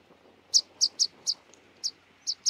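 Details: Rock pipit (Anthus petrosus) giving short, sharp, high-pitched call notes, seven in just over two seconds at irregular intervals, over a quiet background.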